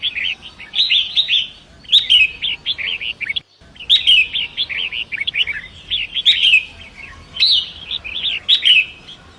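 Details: Forest Long-tailed Shrike singing beside a rushing river, recorded to train other songbirds; dense phrases of rapid scratchy and whistled chips repeated in clusters every second or two, with a brief cut midway and flowing water beneath.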